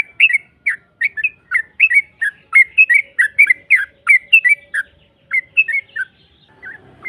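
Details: Yellow-vented bulbul singing a lure phrase meant to make a rival answer; a string of rich, gurgling whistled notes in quick succession, easing off with scattered notes and faint rustling near the end.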